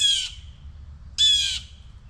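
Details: Adult blue jays, upset near a baby blue jay under a tree and dive-bombing a person, give two harsh, raspy squawks about a second apart, each nasal and slightly falling, over low wind rumble.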